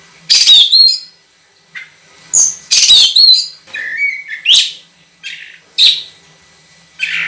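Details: An actively singing kacer, the Oriental magpie-robin, recorded to tutor other birds with long, clear shots. Loud whistled slurs and chirps come in bursts, with softer, lower sliding notes between them and brief quiet spells.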